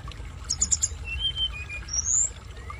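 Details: Blood-breasted flowerpecker learning its song, with water sounds played as therapy: a quick burst of three very high, thin chirps, then short level whistled notes and a bright rising high note, over a steady low rushing of water.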